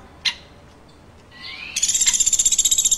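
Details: After a sharp click and a faint rising note, a woodpecker breaks into a fast, high, pulsing chirp trill that carries on for over a second.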